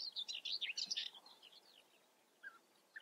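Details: European bee-eater in the Eifel, a dense burst of rolling, burry calls in quick overlapping succession over the first second, then two short isolated notes near the end, with a faint outdoor background.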